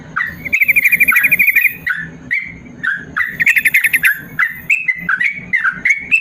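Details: Yellow-vented bulbul tutor song of the 'ropel panjang' style for lazy bulbuls: a fast rattling trill opens, followed by swooping whistled notes and a second rapid trill, all at a brisk, uneven pace.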